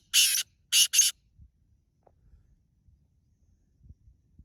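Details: Black francolin calling: three harsh, grating, noisy bursts packed into the first second, the last two close together. Near silence follows, broken only by faint low thumps.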